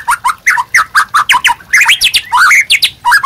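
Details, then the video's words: Caged white-rumped shama master song for training other birds, a dense run of short harsh chattering and squawky notes, rapidly repeated with varied up-and-down slurs. "MASTERAN MURAI BATU GACOR AMPUH UNTUK PANCINGAN DAN MASTERAN MURAI BATU JADI GACOR"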